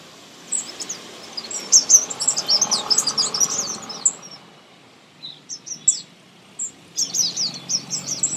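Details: Young birds being fed give a busy cluster of high, sharp chirps, then a short lull with scattered notes, then another burst of thin squeaky calls.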